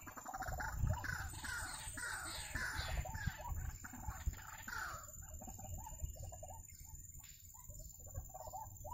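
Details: During bird trapping a white-breasted waterhen gives a fast, excited chatter of harsh notes, about four per second at first, that fades into softer, scattered croaks, with low background rumble.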